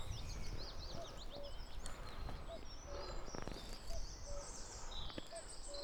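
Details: A cuckoo sings its metronomic song directly overhead in the canopy of ancient oak woodland at Padley Gorge, Peak District, on an early May morning: a soft, falling two-note cu-coo about every second and a half, over busy songbird chatter and a low rumble.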